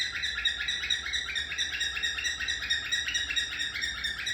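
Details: Pet cockatiel calling in the morning to wake the household and its budgie companions: a steady run of loud, bright chirping calls, about two each second.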